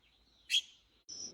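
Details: A fledgling Red-billed Leiothrix, likely fallen while learning to fly, calling from grass below a hillside bamboo grove: one sharp, high, scratchy call, then a thin high whistled note, over faint hiss.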